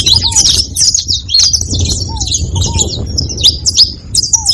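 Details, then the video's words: A few seconds of several saffron finches chattering together: rapid, overlapping high chirps and buzzy twitter notes. Occasional soft, lower, down-slurred whistles and a low rumbling background. "Canário da terra junto fazendo barulho"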